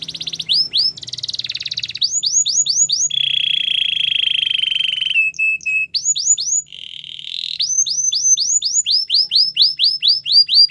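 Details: Varied canary training song alternating quick series of downward whistled slurs with buzzy rolling tours and a short pure whistle, delivered continuously in clearly separated phrases.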